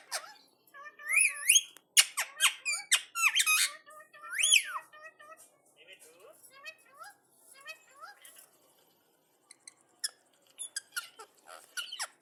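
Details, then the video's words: Indian ringneck parakeet talking while answering another parrot: loud arched whistled squeaks and speech-like syllables in lively bursts, then softer murmured chatter, ending with scattered clicks and squeaks. "Ringneck Talking Parrot 🐦| Parrot Video| Parrot response to another Parrot| Parrot Talking"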